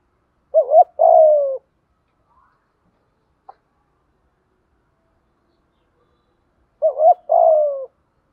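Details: Spotted dove giving 'thúc gù' cooing as a decoy to train newly caught or long-kept birds that won't coo: a short wavering double note, then a longer falling hoarse coo, heard twice about six seconds apart in silence.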